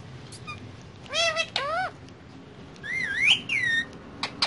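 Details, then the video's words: Pet parrot on a table among other parrots, making looping whistled calls: two harmonic rising sweeps, then a wavering whistle that rises and falls, with short clicks between. "Mitthu On Table With Parrots And Talking"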